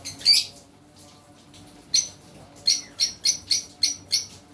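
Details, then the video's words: A green lovebird gives sharp, high, shrill chirps, one at the start and then a quick run of about seven over two seconds; faint low hum behind. "lovebird singing | Lovebird sounds | Lovebird mating sounds"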